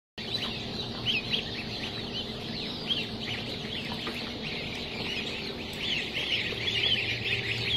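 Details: Assorted goslings at a hatchery: a dense chorus of high, thin peeps overlapping continuously, rising and falling in short chirps, over a low steady hum.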